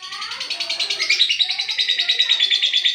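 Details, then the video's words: Lovebird of the olive colour form giving a long-duration chattering song: rapid buzzy twittering held high and steady, pulsing about three times a second with a few sharper whistled notes, low faint murmurs beneath. "love bird olive durasi panjang"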